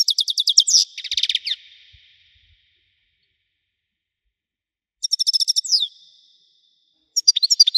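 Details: European goldfinch, Widani song type, repeating bursts of dense, rapid, metallic twittering with a buzzy rattle, about three phrases spaced by quiet pauses.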